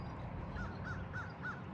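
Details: An American crow, heard faintly on a neighbourhood walk, gives four quick, hoarse caws in a row, about three a second, over a steady low rumble of outdoor background noise.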